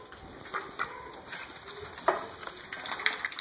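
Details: A hand-raised pet male mallard (Anas platyrhynchos), nearly one year old, back home in Michigan after leaving for the winter: short, harsh quacks and softer nasal notes, about one a second, over a steady high-pitched whine.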